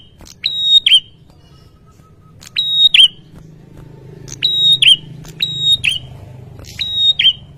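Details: Noisy ashy tailorbird replying to a lure sound with five spaced phrases, each a click, steady piercing whistle and short looping downward note, about one to one and a half seconds apart, over a low humming background.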